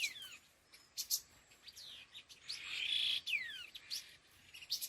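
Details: Laughingthrush (khứu lùn) calls in the style locally called 'đôi hung gọi đằng'. Scattered sharp chirps and down-slurred whistles frame one loud, steady whistled note near the middle.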